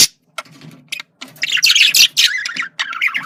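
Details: Male budgerigar giving a communication sound: scattered short clicks, then dense, scratchy chattering warble with rapid buzzy notes and squeaks at mid to high pitch, ending in a fast run of chirps.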